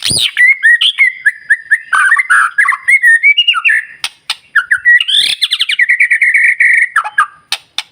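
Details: White-rumped shama pouring out dense morning song to provoke other birds: rapid whistles, chattering notes and high sharp chips in quick succession with few pauses.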